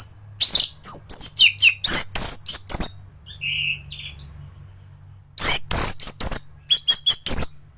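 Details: A thrush sings as a master recording for teaching other birds: fast, high, sharp whistled notes in dense clusters, a soft lower whistle during a brief lull, then renewed bright chattering phrases over a steady low hum.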